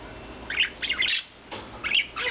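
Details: Rescued budgerigars kept free-flying indoors, a group of four in blue, white and green, utter harsh, scratchy squawks in two paired bursts separated by a short pause.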